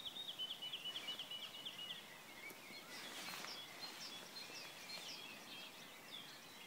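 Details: A woodlark (Lullula arborea) at the Šobes vineyard, Podyjí National Park, on 12 May 2016, opens with a quick run of liquid, repeated notes sliding gently downward, then softer scattered phrases over a steady outdoor hiss.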